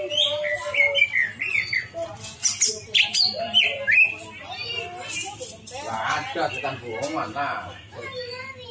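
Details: Cucak ijo, the greater green leafbird, in a lure recording for bringing out its mimicked material: varied twittering with harsh chatters, buzzy bursts and scattered slurred whistles, fairly dense throughout.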